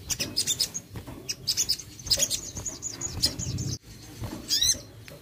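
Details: Crested jay, meant to make a lazy bird respond: clusters of thin, very high twittering notes in quick groups, with a sustained rattling stretch midway and a final sharp chirp pair.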